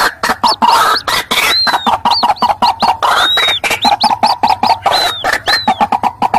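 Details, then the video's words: Chick and adult white-breasted waterhen calls mixed together as a lure: rapid harsh ticking pulses repeated throughout, with high, arched whistled notes recurring every second or so and a steady lower hum underneath. "suara pikat burung ruak ruak ribut kombinasi suara anakan dan indukan"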